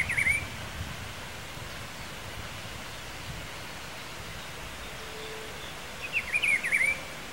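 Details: Wild Rufous-browed Peppershrike from Pedro Gomes, Mato Grosso do Sul, Brazil: a brief whistled phrase opens, then about six seconds of quiet rural background before a second warbled phrase of slurred notes is repeated.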